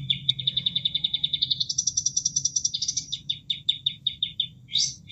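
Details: Bulbul called kapas tembak, caged, singing as training material for other cage birds: a long fast trill that steps up in pitch, then evenly spaced sharp notes, with water murmuring underneath.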